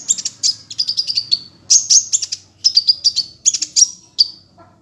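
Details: Energetic sunbird song, 'gacor' with a 'ngunci' voice, intended as a tutor for songbirds: short bursts of piercing high chips, each phrase ending in a thin sliding whistle, repeated about five times.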